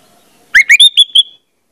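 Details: Orange-headed thrush singing a short phrase meant to spur other birds to sing: two rising slurred notes followed by three clear, level high whistles in quick succession, all in a clean, quiet recording.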